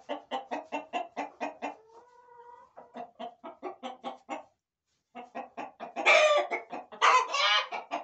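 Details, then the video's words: Hens and roosters in a farmyard corral: steady rapid clucking, about one per second, a brief thin drawn tone, more clucks, then two loud harsh squawks near the end. "Gallos y Gallinas"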